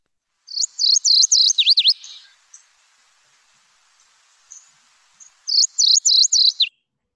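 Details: MacGillivray's Warbler, Lake Tahoe area: two song bursts of clear whistles followed by a slurry, seesawing ending, separated by a few seconds of quiet.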